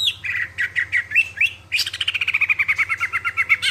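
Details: Greater green leafbird singing clearly to draw other birds into song: a few slurred whistles, then a fast, even rattle of repeated chirps, about six per second, over a low steady hum.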